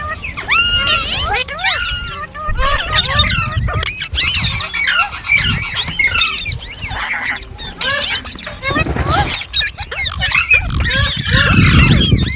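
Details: Green parrots squeal and squawk almost without pause, high curling notes crowding over each other, with low rumbling noise rising toward the end.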